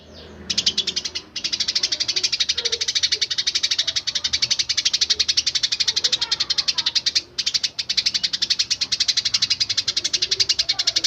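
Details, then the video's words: Eurasian tree sparrow chirping, offered as a model song for training magpie robins and green leafbirds; a dense, unbroken run of sharp, bright chirps about four per second, with one short pause early on. "burung greja cocok buat masteran murai..cucak ijo"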